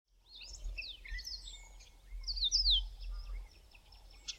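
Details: Yellow-fronted canary singing early in the morning in autumn in South Africa. Its song is a varied run of high whistled slurs and quick rising and falling notes with a short buzzy flourish, over a faint low background rumble.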